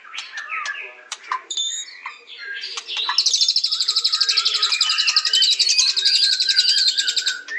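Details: A white-rumped shama sings sharp scattered chips and whistles, then breaks into a sustained, very rapid high trill with lower whistled notes running beneath.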